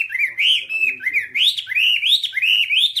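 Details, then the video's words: A Whambie bird sings a rapid string of looping, whistled upslurred notes, each rising then levelling, repeated without pause; taken from a nonstop hour of song for training kept birds. "Masteran Whambie nonstop 1 jam"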